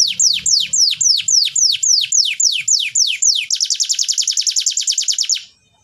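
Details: Canary tutor song to encourage silent birds to sing: about a dozen swooping descending whistles, then a rapid, rattling trill of short repeated notes that stops abruptly, with faint low noise at the start.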